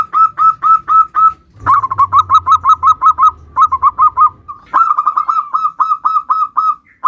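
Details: Local zebra dove singing in the nutut style, used as a lure to prompt other zebra doves to sing: rapid strings of bright rolling coos repeated about twice a second in bursts, with a low hum underneath.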